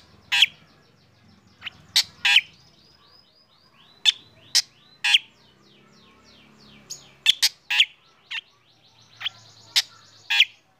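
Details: A black drongo sings during morning sunning, with other birds joining in: clusters of harsh, rasping notes interspersed with faint whistled phrases, coming in uneven bursts every second or two.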